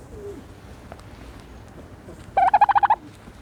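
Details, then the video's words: A quiet stretch gives way to one fast, rattling gobble of about eight pulses from a turkey bathing in the dirt. "the special noises of a turkey bathing in dirt"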